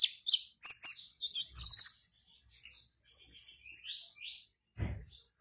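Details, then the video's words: Competition sunbird (kolibri ninja), a caged bird from Serang, Banten, Indonesia. It pours out quick piercing chirps and squeaky slurred notes, fading into softer twitters. A low thud sounds near the end. "LOMBA KONIN ONLINE 15 - Aksi KONIN NAGA LANGIT"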